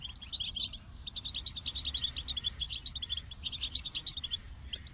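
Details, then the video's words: Goldfinch twittering song of rapid chirps with louder tinkling bursts near the start and middle, separated by quieter chatter. "The Captivating Call of Goldfinches"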